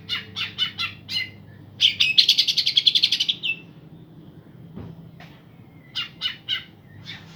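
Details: Green leafbird pair in full song, meant to provoke other birds that have stopped singing. Scattered sharp chirps open the passage, followed by a rapid run of pulsed, buzzy trill notes lasting about 1.5 seconds, then more spaced single chirps.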